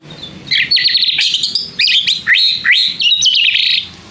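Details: White-rumped shama song used to provoke other shamas into responding: rich varied phrases of whistles, sharp rising notes and rapid trills, delivered in loud bursts with short pauses.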